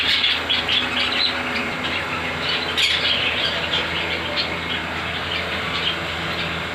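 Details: Ringnecks, cockatiels, budgies and a sun conure kept together in a home setup; rapid bursts of shrill chirps and a few harsher squawks pile over each other, with a constant low background hum.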